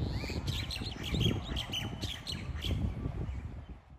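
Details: Mynas at sunrise in Hawaii, 11 May 2024, give a string of harsh, chattering chirps and squawks, several notes a second, over a strong low rumble of wind or surf.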